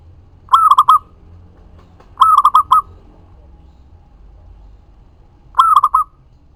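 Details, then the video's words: Zebra dove song meant to draw replies from other doves: three phrases of mellow cooing, each a drawn-out note then a rapid run of short rolling coos, spaced a second or more apart. "Perkutut lokal GACOR suara ampuh untuk pancingan langsung nyaut"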